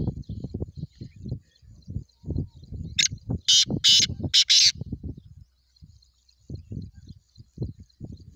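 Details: Black francolin, known locally as kala teetar, giving a harsh, grating call of four loud rasping syllables in a quick burst in mid-clip. Low rumbling handling and background noise comes before and after.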